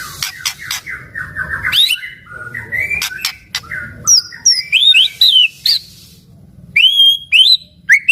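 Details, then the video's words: Actively singing white-rumped shama meant to set other shamas singing: varied whistled phrases, rising slurs and sharp clicks, with several clear upslurred notes near the end. "murai batu gacor sangat cocok buat pancingan murai batu agar bunyi ikut NYAUT"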